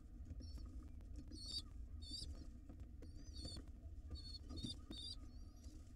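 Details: Hungry wild pigeon nestlings being fed by their mother in a nest box give short bursts of high, thin, wavering squeaks separated by brief pauses, with soft rustling and a low hum underneath.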